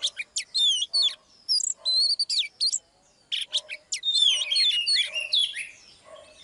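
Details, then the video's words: Oriental magpie-robin singing energetically, a female spurring on a male. Quick runs of sharp whistles and twittering notes in short bursts with a short gap midway, then a dense, tumbling outpouring of varied phrases. "chòe than mái KÉO TRỐNG LÊN ĐIỆN"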